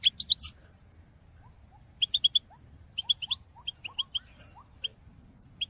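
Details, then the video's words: European goldfinch singing a call-song in 2022: an opening rapid run of high twittering notes, then steady short chirps spaced through the clip, mixed with soft rising whistles. "Top chant d'appel chardonneret pour motiver vos oiseaux"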